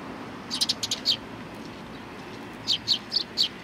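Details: Sparrows coming to meet visitors at a Tenmangu shrine, 3 July 2020, give two short clusters of high, quick chirps separated by a quiet gap.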